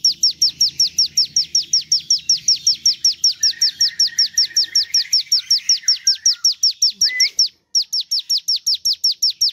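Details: Javan tesia song: steady rapid run of shrill, steeply falling notes about two and a half per second, a quieter lower chatter underneath, then a brief silent gap before the same series resumes.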